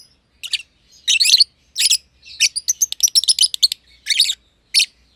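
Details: Green and green pied personata lovebirds in a home aviary give scratchy high chirps, singly and in quick runs, with a chattering cluster near the middle and near-silent pauses between.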